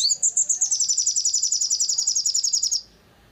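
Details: Long-tailed shrike, known locally as sogon, in a recording used to provoke birds into singing: one fast, high, buzzy trill of about 20 evenly repeated notes lasting under three seconds, dropping slightly in pitch, then quiet.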